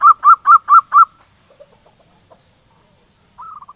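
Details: Local zebra dove in full song, used as a lure to bring silent doves into singing: five rapid mellow cooing notes in a quick bouncing run, a pause with soft faint notes, then a closing trill of short coos.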